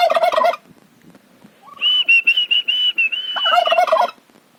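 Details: Turkey calling at a farm house: a harsh, rapid gobbling rattle opens, followed by a sustained, pulsing high whistle with a softer lower note, then another rattling gobble burst.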